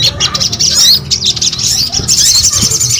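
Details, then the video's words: Short burst of crimson sunbird (sogon) song: high, scratchy twittering with quick slurred chirps, the notes tumbling together, with some low rumbling noise beneath. "SUARA SOGON GACOR"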